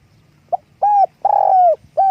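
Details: Spotted dove giving its call while flapping its wings: a brief opening note followed by mellow steady coos, the second long and slightly falling, with a low hum behind.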